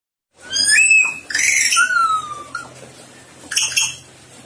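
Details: Sulawesi myna singing: harsh harmonic squawk, then a slurred upward whistle, a burst of broadband noise, and a long clear whistle gliding slowly downward, ending with two short rasping notes in a quiet room.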